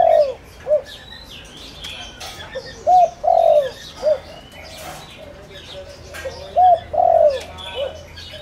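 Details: Spotted dove used as a ground lure to draw wild doves, a village farmland bird; phrases of loud cooing notes, a short hoot, a longer drawn coo and a clipped end note, repeated, with faint chirps of other birds behind.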